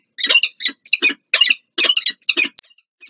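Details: Peregrine falcons at the Palace of Culture and Science nest in Warsaw, Poland, during morning nest changeovers, 2 April 2023: harsh, raspy, loud high squawks in quick bursts about three a second, then a thin squeak and quiet.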